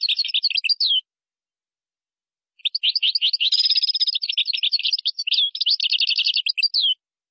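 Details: Goldfinch song in the Moroccan gazarat and srrr bertbertio style: a short twittering phrase, then after a pause a longer rush of rapid, liquid chirps and buzzy trills lasting over four seconds, with a clean, quiet background.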